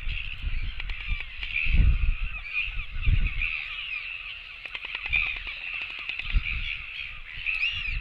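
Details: Royal albatross chicks come begging for food on a nest cam dated 24.09.17; continuous goose-like wavering cries with quick clicking bursts, over gusts of low wind.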